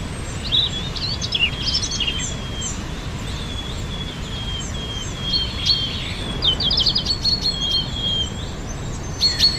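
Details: Wild birdsong in spring: high whistled notes and quick stuttering chirp bursts sung over a constant rushing background hiss, with a dense rattling run of notes near the six-second mark.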